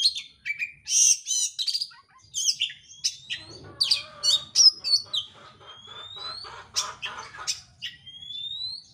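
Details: Oriental magpie-robin as a bait recording to make another bird sing: an eager, emotional stream of high chirps, buzzy notes and rising whistles, ending in long upward-slurred whistles with short gaps between them.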